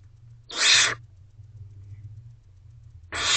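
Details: Owlets of barn owl in a nest box, night of 3 May 2023, a mouse being eaten by one sibling undisturbed; a rasping hiss, a quiet gap of over two seconds, then the next hiss starting.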